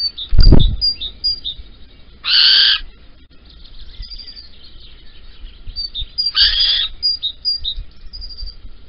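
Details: Little owl at Holten at 05:59 on 16 April 2020, male with a caterpillar while the female is away, gives two harsh, hissing screeches about four seconds apart, with thin high small-bird chirps and a dull thump early on.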